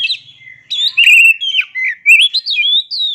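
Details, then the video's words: Kacer, or oriental magpie-robin, giving a rich continuous song of clear whistles, slurred glides and high sharp notes in rapid succession, clean with almost no background. "Dengar Suara Asli Kacer Ini"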